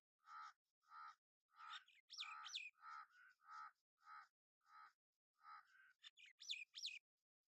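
Several jungle babblers give harsh, nasal notes about twice a second, with shrill squeaky rising calls mixed in from more than one bird.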